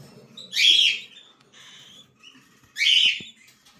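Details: Young cockatiel chicks give two loud, harsh, hissy squawks about two seconds apart, with faint softer chatter and tapping noises between them.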